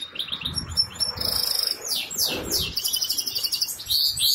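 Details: Caged goldfinch hybrid from Ankara, Turkey, kept for sale, singing a busy run of high twittering notes, sharp chirps and quick trills with rising and falling sweeps, some wing flutters and soft low knocks behind.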